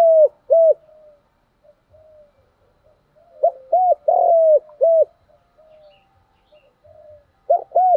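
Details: Spotted dove calls and urging coos for training decoy birds, repeated in bursts: paired short arched coos, soft low murmurs, then a cluster of short coos around a long drawn coo, and another pair at the end.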